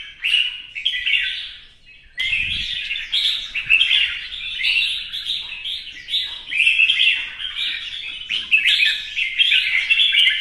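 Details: Red-whiskered bulbul kept in a cage, in a new coat of feathers, sings a competitive display song with spread plumage. Short pause, then a steady stream of chattering, liquid warbles and slurred whistles phrased in quick bursts.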